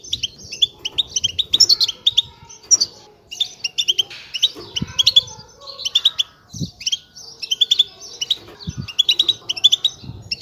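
A European goldfinch chick gives rapid, high, thin chirping begging calls in steady bursts, with a few soft low thumps in the background.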